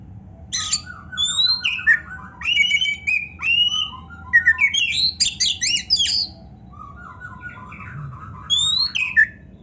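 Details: Oriental magpie-robin (kacer) in continuous gacor singing full of varied isian phrases: rapid repeated low trills, sweeping whistles and buzzy notes in dense bursts, a short pause near the end, then trilled phrases again over a faint low hum.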